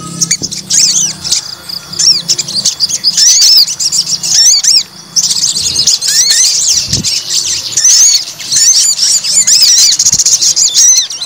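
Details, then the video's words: Provoked white-rumped shama fighter delivering a long, busy stream of high whistled notes and quick rising-falling slurs, many short phrases packed closely together with little pause, against a quiet low hum. "PANCING EMOSI TES MENTAL FIGHTER SOGON"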